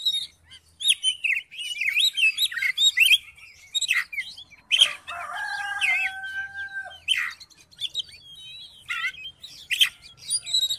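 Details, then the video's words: Varied, rich song of the Oriental magpie-robin, played to goad another bird into singing: rapid chattering phrases, a pair of long steady whistles around the middle, then more tumbling twitters and sharp high notes. "KACER MACET MALAS BUNYI??? COBA DIPANCING DENGAN KICAUAN KACER INI"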